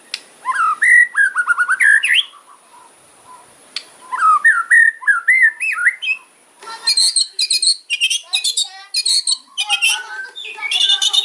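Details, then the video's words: White-rumped shama singing a sharp, aggressive 'kretekan' fighting song: loud warbled phrases of looping, wavering whistles, then after a pause a long run of harsh, very high rattles and chattering bursts, with scattered ticking notes. "KRETEKAN MURAI KERAS FIGHTER ISIAN TAJAM BIKIN LAWAN EMOSI"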